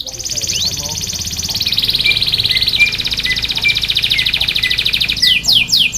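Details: A canary singing at length for training and luring other canaries: a long, even, high buzzing trill with a soft lower note pulsing beneath, ending in a few quick, sharp, descending chips.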